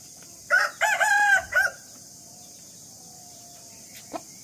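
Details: A rooster gives one crow in the morning, several clipped harmonic syllables with a rising middle, followed by a long quiet stretch broken only by a couple of faint clicks.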